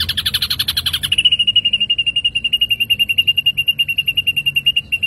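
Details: Ashy drongo in lively full song, used as a lure recording: a second of dense, buzzy chattering notes, then a fast, steady trill of high, even pips repeated about eight times a second.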